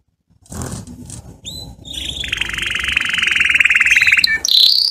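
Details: Canary song played to teach young canary chicks to sing: a few faint notes, then a long, rapid, even trill that builds in loudness, ending on a higher buzzy note.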